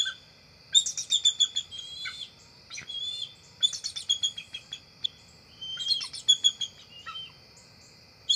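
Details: Two adult bald eagles at their nest tree just before nightfall in early October; three loud bursts of rapid, high-pitched staccato chittering, each about a second long, over a continuous insect chorus.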